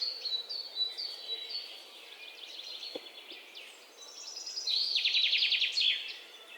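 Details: Soft high whistles and chirps from several birds, then a louder, rapidly repeated high trill, with one brief low click in the middle.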